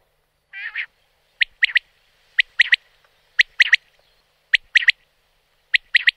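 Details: In the wild, a common quail gives one nasal, wheezy double note, then five clipped three-syllable whistled phrases spaced about a second apart, sharp and ringing, against silence.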